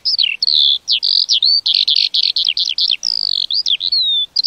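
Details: High lark song of clear whistles and tumbling chirps, with one long gliding note near the end, delivered rapidly and almost without breaks.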